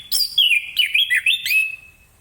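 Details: Varied whistled phrases from an orange-headed thrush in the morning, sung to prompt other birds to answer: loud warbling notes twist up and down, then fade on a long level whistle.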